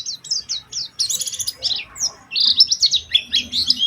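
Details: Oriental white-eye lure song for prompting other white-eyes to sing, with short high whistled slurs, a harsh buzzy burst, then rapid twittering phrases.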